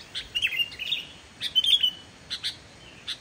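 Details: Sooty-headed bulbul song meant to lure other bulbuls: a few quick chirpy warbled phrases separated by short pauses, ending with isolated sharp notes.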